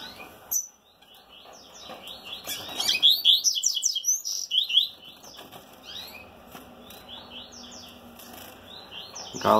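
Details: Rusty-collared seedeater male singing during mating, with hopes of fertile eggs: rapid twittering run of sharp, high chirps and slurred notes, densest in the middle, with fluttering wing sounds and a few quiet human words.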